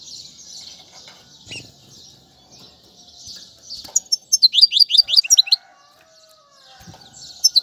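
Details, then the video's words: Goldfinch tutoring song for chicks, royal goldfinch singing in styles such as tiwawati qalubi: quiet hissing at first, then a brief burst of quick, descending twittered notes, with a couple more high chirps near the end. "أفضل تغريد الحسون"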